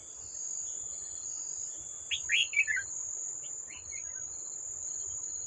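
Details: Old wild red-whiskered bulbul at a decoy trap, July 2024: a single bright phrase of four descending slurred notes, then a softer echoing fragment, under constant shrill insect buzzing.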